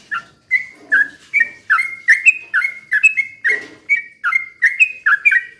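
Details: Sooty-headed bulbul in a constant, slow rapid-fire song meant to lure other bulbuls into singing: steady string of short liquid whistled notes, dipping and rising, about two to three a second, with faint rustling underneath.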